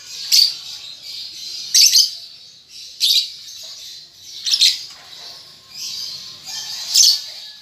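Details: Juvenile lovebird learning to chatter, producing six loud scratchy chirping bursts at roughly one-to-one-and-a-half-second intervals between softer ongoing high twittering.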